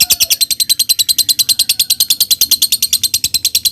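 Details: Lovebird in ngekek style, used as a lure to make other lovebirds sing: a long, fast, high chattering trill of about three even notes a second, steady throughout.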